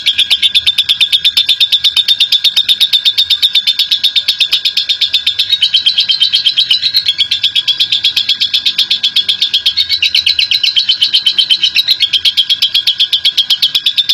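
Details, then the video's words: Ngekek lovebird, a national champion, chattering at length to draw other lovebirds into song: an unbroken fourteen-second torrent of rapid, shrill, buzzy pulses, very regular, over a faint constant tone. "Love Bird Prestasi Cerewet Ngekek Panjang !!!Pemancing Love Bird"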